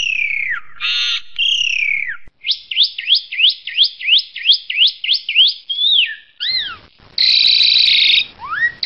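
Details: Asian pied starling singing a complete 'isian' fill-in repertoire: a rapid run of sharp rising chirps about three per second, then downslurred whistles, harsh buzzy bursts and a final upward whistle, all clean and loud.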